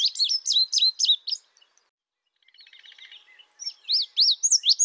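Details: Indigo bunting giving clipped bursts of high, sharp, slurred chirps, about four per second, with a soft buzzy trill from another bird in the pause between bursts.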